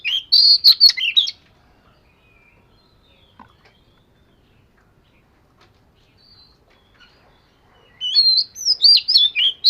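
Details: Oriental magpie-robin of the fish-scale (vẩy cá) type, singing for daily voice training: a burst of loud whistled, warbling notes, then about seven seconds of near silence, then another rich, varied phrase.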